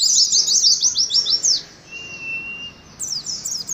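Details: Oriental white-eye singing in the ngalas style: rapid, high, twittering notes in quick run-on series. A pause follows with one long, steady, thin whistle. Then the fast chattering twitter resumes.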